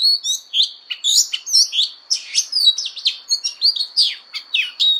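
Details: Oriental magpie-robin fighting song for voice training: strong, evenly spaced bursts of piercing whistles and downward-sweeping notes, each short phrase separated by brief pauses, with a thin constant high tone running through.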